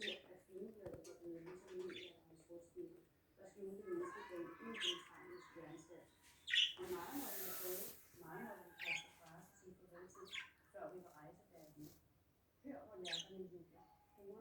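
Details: Two pet budgerigars playing chatter with scratchy warbles broken by sharp, high chirps.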